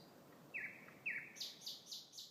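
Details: Thrush nightingale singing very loudly: two clear descending whistled notes, followed by four rapidly repeated harsh, higher-pitched notes at an even pace.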